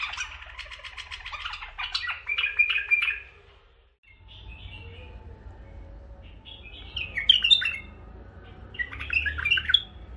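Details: Three tame bulbuls in a cage, one male and two females, give scratchy warbled phrases, then a quiet gap, then further bursts of high, sweet chirps and twitters.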